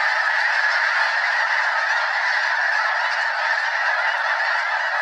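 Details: Over 200 wild Snow Geese filling the sky above Limestone Bay, Wheeler National Wildlife Refuge, Alabama: loud, sustained massed honking, countless calls blending into one even roar.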